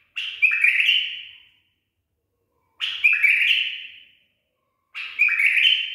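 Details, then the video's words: Tamed and trained bulbul: three loud, identical 'barwaz' song phrases about two seconds apart, each a bubbling warble that drops into a slowly fading whistle, with silence between. "بلبل أليف تخريج صحيح"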